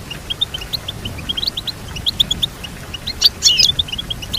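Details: Goldfinch song used for teaching a goldfinch to sing: rapid high chirps repeated steadily, with a brighter burst of twittering notes near the end.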